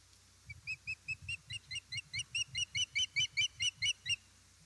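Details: Distant-sounding series of about twenty short, high chirps, evenly spaced and growing louder, from an osprey nest in Estonia during a fish delivery on a September 2019 afternoon, with a steady low hum behind.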